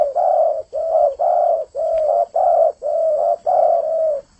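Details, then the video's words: Spotted dove in full, energetic song, delivering a steady run of seven long, low, hollow coos, each about half a second, with short gaps between them. "Burung trkuku gacor"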